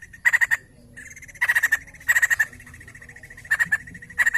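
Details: Lively white-crested laughingthrush song used to prompt other birds of its kind to sing: short clusters of three to five quick, sharp notes, repeated after gaps of about half a second to a second.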